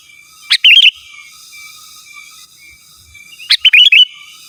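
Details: Sooty-headed bulbul song used as a lure to call rivals and wild birds and to tutor caged birds: two bright bursts, each a sharp note then quick warbled whistles, about three seconds apart, with a steady faint whine behind.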